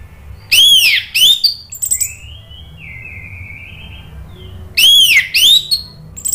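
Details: Lure recording of orange-headed thrush song for a bird that has gone quiet: loud looping whistled phrases, a long thin steady whistle between them, then the looping whistles repeat.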